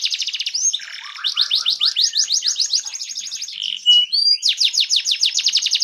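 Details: Fan-tailed canary tutor song for other canaries: fast trilled phrases, a lower warbled passage, a clear whistled note, then another rapid run of repeated chirps.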